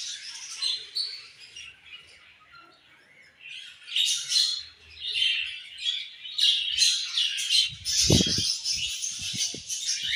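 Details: Pet budgerigars chirping, bursts of high scratchy warbling and sharp tweets, with low knocking and rustling sounds toward the end.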